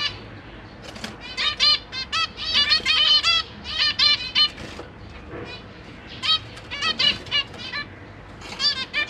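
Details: A captive zebra finch family, a parent pair with three juveniles and three newly fledged young, recorded 12 September 2023, gives bursts of rapid, nasal, buzzy calls, with several birds chattering over one another in quick runs and brief pauses between.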